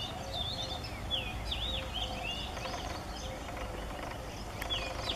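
A male Oriental magpie-robin sings a run of sweet, varied whistled phrases, some sweeping up and down, over a steady low rumble of background noise.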